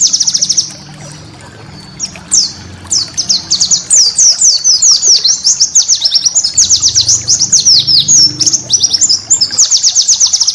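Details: Master song of a white-eye for training cage birds, with special bursts: a brief fast pulsed trill, a pause, then long, lively high-pitched twittering of rapid downslurred notes, closing with another even trill.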